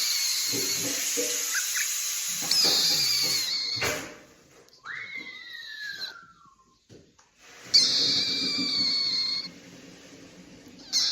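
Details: Rosella making a funny sound: harsh, hissing screeches for about four seconds, then a single clear whistled note sliding steadily downward, followed by another burst of raspy, grating screeching.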